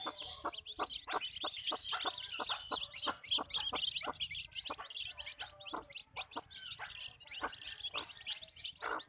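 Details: Chickens on a backyard farm, short dry clucks repeating about three times a second at an uneven pace, with dense high chirping from other birds above them throughout.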